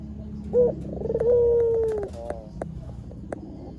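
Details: Barbary dove used for luring wild doves: one short note and a stuttered roll leading into a long gently falling coo, followed by scattered clicks and taps.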